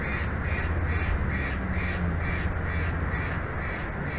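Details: Bald eagle at its nest in Big Bear Valley, 17 November 2023, mid-afternoon, giving a steady series of about ten high, thin piping notes, roughly two per second, over strong low rumbling wind noise.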